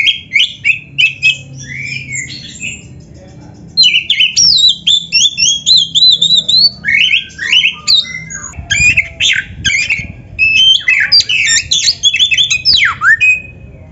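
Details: Oriental magpie-robin in extended, varied 'full isian' song for training caged birds: bursts of rapid whistles, chatters and harsh squeaky notes, with short pauses between phrases.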